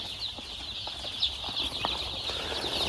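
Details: Chicks crammed into a box on a poultry farm in cold weather keep up a continuous mass of high-pitched cheeping, with brief scratchy clicks and rustles from the huddled birds.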